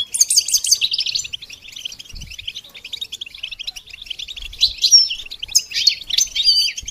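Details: Goldfinch song meant for training songbirds: a rapid, fairly soft jangle of high twittering notes, building in the final seconds into louder bright slurred chirps and short whistles.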